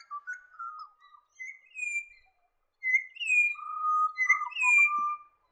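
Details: Pied butcherbird from wooded areas of New England, NSW, Australia, with a clear voice; mellow, flute-like whistled phrases, some slurred upward, others level and sustained, delivered in several runs with brief gaps between them.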